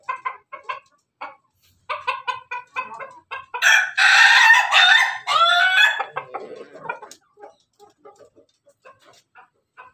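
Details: An Ayam Ketawa rooster crows in the morning among hens, giving a long, rough, broken crow between soft, clipped clucks from the hens.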